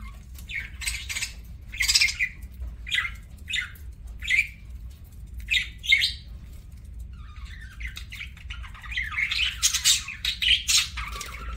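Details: Pet parakeet (budgerigar) eating: separate short chirps and squawks spaced about half a second to a second apart, then a longer run of fast, scratchy chattering toward the end.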